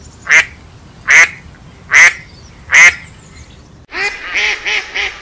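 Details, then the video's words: Four loud, rasping duck quacks at an even rhythm, followed by a rapid run of softer, lower quacking notes. "Duck sound (Natural sound, lovely, funny...)"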